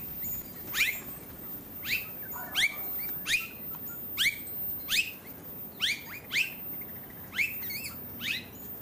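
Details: Australasian figbird on Queensland's Sunshine Coast, October 2022: a series of quick descending whistled notes, each sliding sharply down, repeated roughly every half to one second, with occasional doubled notes, against a soft steady hiss.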